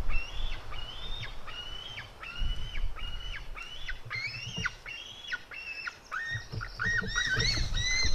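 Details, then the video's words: Calls from white-tailed eagle eaglets at 16:09 as a female fights her brother: roughly fourteen high, squealing, arched notes repeated steadily about twice a second, turning harsher and more broken near the end, over faint low rumble. "merikotkas female eaglet fight with her brother"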